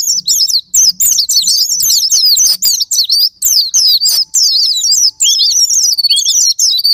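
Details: White-eye lure song to provoke caged white-eyes: phrases of quick high warbled twitters with short gaps, ending in lower looping whistles, over a faint low hum.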